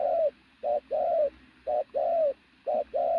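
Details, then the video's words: Three loud coo couplets from a sturdy native decoy pigeon, each a clipped note leading into a longer, gently falling hollow tone. "bổi thổ bồ câu tướng lực sĩ,,Gù âm to cực tốt"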